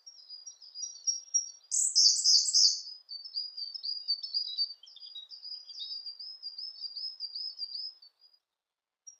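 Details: Siberian blue robin song: a long run of thin, high, scratchy twittering notes. Near the start comes one louder, higher burst. The singing fades out after about eight seconds.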